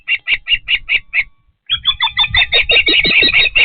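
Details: Patuxent River Park osprey at the nest during feeding: six clipped chirps, a brief gap, then a louder, harsher and more continuous chattering of rapid squealing notes.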